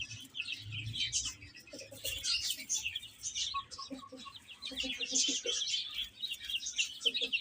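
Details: Baby chicks eating and playing, their shrill peeps overlapping into a busy chorus, broken by quick runs of short lower clucking notes.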